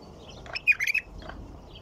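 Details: Short liquid phrase from a white-eared bulbul, three or four rapid rolling notes, with a few soft chirps before and after and low background hum.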